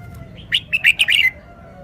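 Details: Red-whiskered bulbul showing its song phrasing: one quick phrase of five bright, liquid chirping notes, loud and clear over a quiet background.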